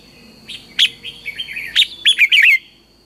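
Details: Morning training song of a red-whiskered bulbul, a lure voice: soft wavering whistles building to loud sharp notes and a fast series of bubbling, slurred warbles at the end, over a faint constant high tone.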